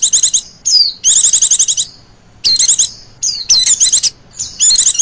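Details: Lure recording of a female Oriental white-eye: thin, rapid trilling bursts high in pitch, separated by brief downslurred whistles and short pauses, about five bursts in five seconds.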